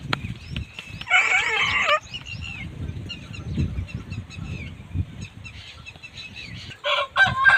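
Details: Aseel rooster gives a short, harsh crow lasting about a second, followed later by another brief crowing burst, with small birds chirping and low thumping noises throughout.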